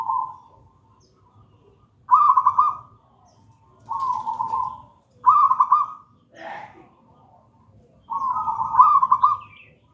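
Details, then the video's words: Gedang rojo local zebra dove cooing as lure and master song: separate trilled, stuttering coo phrases about every two seconds, each under a second long, with a brief higher rasping note between them and faint low hum. "Perkutut lokal gedang rojo gacor merdu bird voice"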